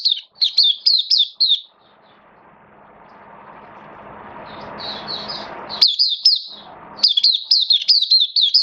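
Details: Hobby-kept oriental white-eye giving open song on 11 September 2022: quick high twittering phrases at the start, a long stretch of swelling background noise with faint notes, then bright slurred warbling resumes strongly.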